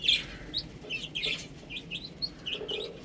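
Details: Chicks peeping as they eat and drink, short bright chirps that fall in pitch, coming in a steady broken run about three or four a second, with faint tapping underneath.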